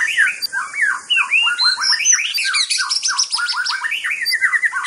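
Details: White-rumped shama singing busily: a dense, nonstop stream of short, squeaky slurred notes at varied pitches, with high thin overtones and a constant hiss behind.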